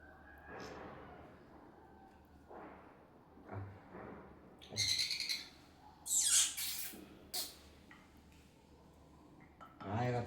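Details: Baby sun conure being hand-fed: loud, harsh, broadband squawks in short bursts around the middle of the recording, with quieter scattered calls and a person talking in Hindi between them.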